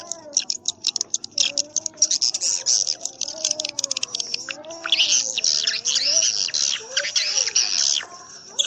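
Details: Swiftlet lure sound for swiftlet houses. Quick high chirps run into a long, rough, buzzing twitter, over a low tone that rises and falls in waves.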